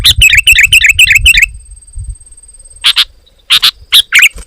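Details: Sooty-headed bulbul giving a quick series of bubbly, repeated slurred notes, then a pause and a few sharp chirps; the loud song is said to provoke rival bulbuls into singing.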